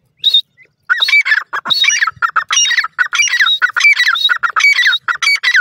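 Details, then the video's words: Desi teetar (grey francolin) from Sindh giving a long, fast run of harsh, ringing hooked notes mixed with higher buzzy squeals, almost continuous after a short opening note. "pakshi teetar ki awaz,sindh ka teetar k bachay,desi teeter awaaaz"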